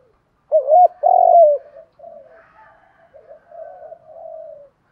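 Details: Spotted dove cooing, male and female voices, used to provoke and train decoy birds into cooing back; two loud, low, wavering coos open, followed by a run of softer, lower trailing coo notes, with no other sounds.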